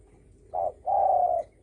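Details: A single short-long coo couplet from a spotted dove in the 'dong tho sam' style meant to provoke other doves, the long hoot smooth and level, against near silence.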